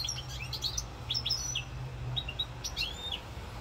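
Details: European goldfinch singing in Corsica on 7 November 2022: quick tinkling, liquid twittered notes, some sweeping upward and others slurring down, strung in loose runs with brief gaps, over a faint low hum.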